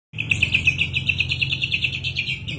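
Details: White-rumped shama, ready to perform, delivering a steady run of bright, clipped chipping notes at about eight per second, each note short and even, over a constant low hum.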